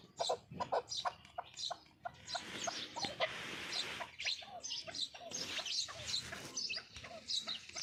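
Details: Chukar partridge from Qubodiyon, Tajikistan, a fighting bird kept for sale, giving a rapid series of short clucking and chattering notes, many sharp broadband bursts repeated several times a second throughout.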